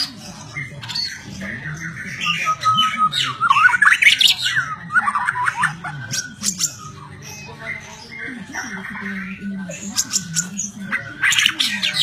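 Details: ['White-rumped shama, a songbird kept by bird-song hobbyists, delivering a varied song of slurred whistles rising and falling, sharp high chips and a short trilled run, with a steady low hum underneath.']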